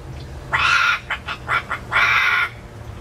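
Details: Indoor-aviary pet parrot, caged for safety when brought out, voicing two loud, rasping, sustained crow-like notes separated by a quick run of four short clipped syllables, with faint low hum underneath.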